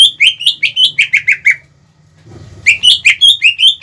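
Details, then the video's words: Greater green leafbird song meant to quickly anger rival leafbirds. A steady string of bright, slurred whistles, then a short pause and a renewed series of varied notes. A low hum runs beneath. "PANCINGAN CUCAK IJO GACOR CEPAT MEMANCING EMOSI LAWAN"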